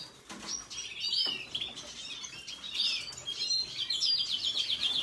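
Red siskin singing a high, busy twittering song of thin chirps and buzzy trills, ending in a rapid rattling trill; wingbeats flutter briefly.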